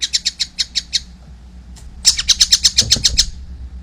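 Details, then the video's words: Two quick bursts of harsh, high, rattling notes from a young collared kingfisher, about seven notes each, split by a second of near silence and a faint low bump. "wow masih kecil udah gacor , anakan burung tengkek buto"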